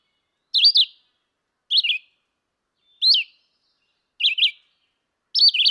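A red-eyed vireo sings short, slurred, robin-like phrases, each under half a second, spaced about a second apart and varying up and down in pitch.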